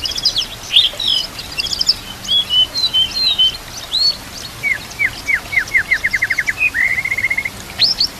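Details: High whistled phrases from a white-rumped shama, with nature sounds and trickling water, for training other shamas to sing: they build into a quickening series of short downslurred notes and a level trill.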